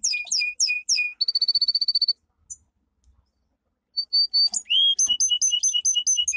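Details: Powerful training song of a domestic canary, the caged finch bred from Canary Islands stock: a few sweeping high notes, then a fast even trill, a pause, and a burst of repeated bright chirps.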